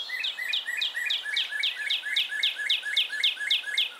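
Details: Northern Cardinal spring song in a Central/Eastern US backyard: a fast run of clear, downslurred whistles, nearly four per second, steady and bright, like "pretty pretty pretty"; faint background hiss.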